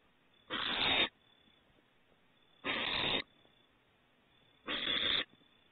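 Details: Owlets at Starr Ranch on their second outing outside the nest, 21 April 2018: three harsh, breathy hissing bursts, each about half a second long, spaced roughly two seconds apart against a quiet background.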